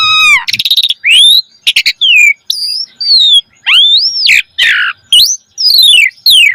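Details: Rich, varied song of an Asian pied starling played to stimulate caged birds: falling and arched whistles alternating with grating squawks and quick stuttered notes.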